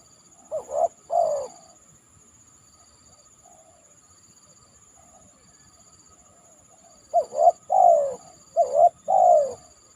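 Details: Spotted dove (tekukur) calling after heavy rain from a banana trunk as a lure call: a pair of quick coos, a long pause, then two repeated phrases of short coos each ending in a longer falling coo.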